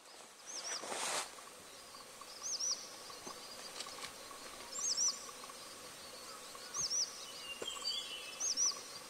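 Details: Daurian redstart recorded at Buluowan, Hualien, Taiwan, where it is an uncommon winter visitor, on 21.02.15. Thin, high whistled call notes with a hooked shape repeat every one to two seconds over steady background hiss, with a brief rustle near the start.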